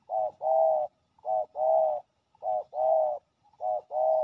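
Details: Territorial spotted dove male, very aggressive, calling at a ground decoy with loud low coos, a short note joined to a long rolling one, repeated in an even rhythm.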